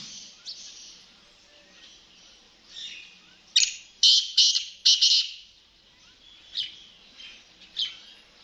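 Black francolin giving a harsh, grating burst of about five loud, scratchy notes, with a few fainter rasping notes before and after over steady background hiss.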